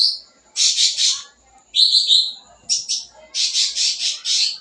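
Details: Sooty-headed bulbul, lively song full of fill-ins, used to stimulate young birds: clustered harsh high chatters alternating with a short clear whistled phrase, then a quick string of rasping bursts.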